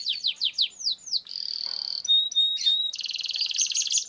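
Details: Canary singing a lengthy roll for training other canaries: several loud downslurred whistled notes, then a sustained buzzy roll, short pure high whistles, and a fast rattling trill.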